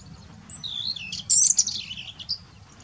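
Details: Black-necked grebe giving a lively run of high, twittering whistles that swoop up and down, loudest in a dense burst midway, with a final short note after a pause; steady low background noise throughout.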